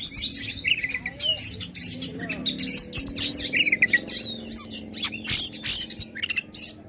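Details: Powerful Oriental magpie-robin song played to provoke contest birds: repeated scratchy warbles and chirps in clustered bursts, a clear wavering high whistle midway, with a soft low murmur in the background.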